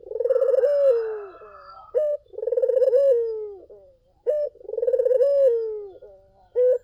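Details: Lure recording of a vocal collared dove: each phrase opens with a brief clipped note, then a drawn-out purring coo that sinks in pitch. The pattern repeats three times over a quiet background.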